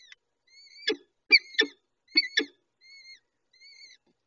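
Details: Peregrine falcon at the nest feeding chicks, high thin whistles with bending, wavering tails recurring about once a second, interrupted by loud sharp clicking bursts in pairs.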